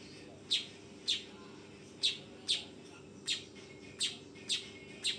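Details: A young weaver makes bright, sharp chirps, nine in just over five seconds, some in quick pairs, with a soft continuous hum beneath.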